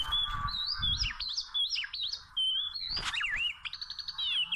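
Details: Wild Oriental magpie-robin singing during bird trapping with small ropes: a varied run of clear whistled phrases, sliding notes and a quick repeated trill near the end, with low rumbling noise underneath.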